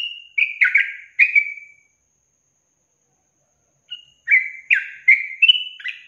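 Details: Training recording of a yellow-vented bulbul in the long-trill style: a short burst of gurgling chirps, then about two seconds of silence, then another bubbly run of slurred notes rising toward the end.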